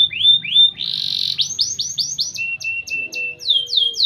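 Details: Canary singing a training song: whistled rising slurs, a buzzy roll, then a string of quick downward sweeps and clipped notes over a lower held tone, all high and bright.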